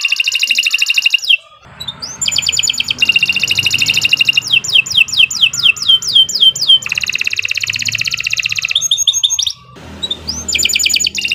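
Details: Long continuous canary song, gacor style, for stimulating other canaries to sing: buzzy high trills alternate with runs of crisp descending notes, with rising upslurs between phrases.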